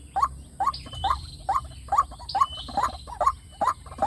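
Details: White-breasted waterhen lure call, played through a speaker to draw wild waterhens: harsh mid-pitched croaking notes with rising inflection, repeated steadily about twice per second.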